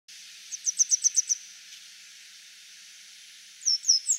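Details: Grey wagtail perched on a power line, singing. A quick run of six thin, high, sharp notes, then a pause and three similar notes, with a steady soft hiss underneath.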